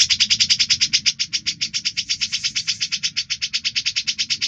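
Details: Lively grey-cheeked bulbul used as a training voice for stressed cucak birds, giving an unbroken rapid chatter of clipped, high, evenly spaced notes with a faint low hum underneath.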